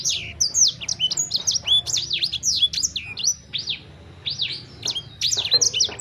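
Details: Sanger bird song with rapid, jumbled high chirps and steep down-slurred whistles, delivered in quick bursts with brief gaps; low steady hum underneath.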